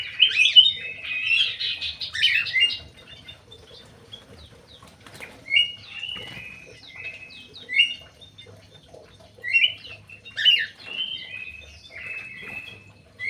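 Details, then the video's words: Crewet kept in an aviary uttering clusters of sharp high chirps and short whistled trills, repeated in separate bursts with quiet stretches between them. "BURUNG CREWET"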